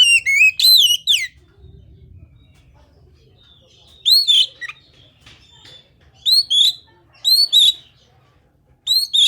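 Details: Oriental magpie-robin (kacer) song meant to make other kept birds of its kind sing: an opening rapid cascade of bright whistled notes, then repeated pairs of rising, ringing whistles spaced a second or so apart.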